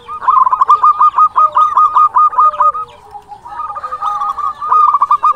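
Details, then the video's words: Local zebra dove in vigorous song, kept as a tutor to entice rivals into answering: rapid stuttering coo trills near one pitch, two long rolling phrases with a short soft pause between, faint higher overtones. "Masteran suara perkutut lokal gacor Paling pandai merayu lawan bikin nyaut"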